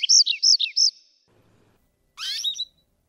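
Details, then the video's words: Atlantic canary (Serinus canaria), wild bird, giving three clear whistled double notes in quick succession, a gap, then a short buzzy, jumbled phrase. "Canario silvestre (Serinus canaria) Canto"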